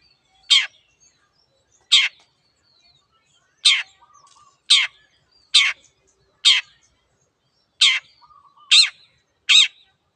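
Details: A pendet (long-tailed shrike) repeats short, harsh, buzzy notes roughly once a second across ten seconds, a few coming in quicker pairs, with soft faint tones between them.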